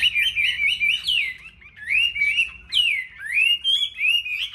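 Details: Duel singing by a caged Chinese hwamei from a Vietnamese market line-up: clean, loud whistled phrases of upswept and downslurred notes, delivered in separate bursts with short gaps, over a faint low rumble.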